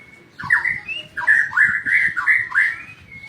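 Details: White-rumped shama delivering loud, fluty whistled phrases in quick succession, rising and falling notes, with faint clicks underneath.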